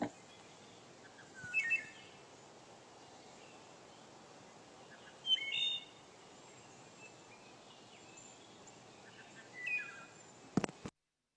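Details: A Wood Thrush, a bird of Eastern forests that sings from low to mid canopy, sings three separate fluty, ringing phrases about four seconds apart over a steady background hiss.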